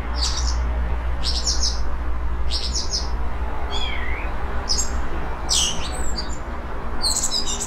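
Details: A common blackbird that nested twice in a yard in Portugal sings a rare, low-volume mimicking song at day's end about 5 m away: high, squeaky twittered phrases about once a second, one lower descending whistle midway, over a low rumble.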